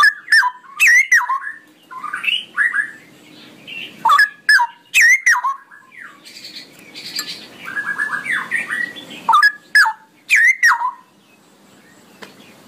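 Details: Long ropelan song of the straw-headed bulbul: repeated bursts of loud, liquid, warbling phrases with abrupt sweeping notes, broken by softer chattering runs, over a low steady hiss.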